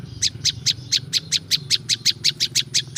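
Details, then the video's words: Sharp, high, evenly spaced chirps from a prinia (prinjak lumut) in nature, about four per second, with low-pitched background hum. "SUARA BURUNG PRINJAK LUMUT"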